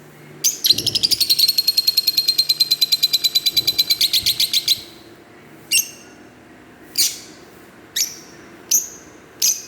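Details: Green Fischer's lovebirds produce a long, fast, buzzy pulsed chatter lasting about four seconds, followed by single sharp high chirps spaced about a second apart.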